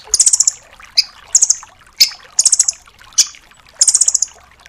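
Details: Velvet-fronted nuthatch 'doraemon' calling in crisp high rattles of four to six chips, spaced about a second apart, with single sharp ticks between the bursts.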